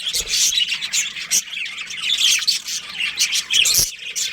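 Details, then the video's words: Colony of budgerigar breeding pairs chirping, bursts of sharp high squawks and twittering in uneven pulses, loudest near the start and end, many birds calling at once. "Cute Budgies Chirping Sounds"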